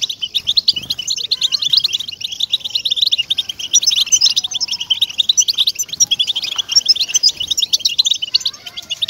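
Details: European goldfinch twittering song intended to motivate caged goldfinches: a long, busy run of tinkling chirps and buzzes, near nonstop, with soft lower sounds in the background.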